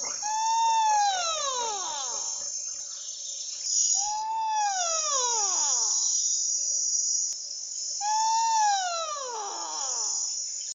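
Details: A juvenile Pel's fishing owl in southern Africa gives three long, falling, wailing cries, about one every four seconds, over a steady high buzz of insects.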